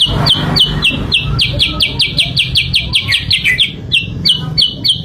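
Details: Lure recording of sooty-headed bulbul song used to draw birds in: a fast, steady series of bright chipped notes, several per second, with a brief stutter midway before the rhythm resumes.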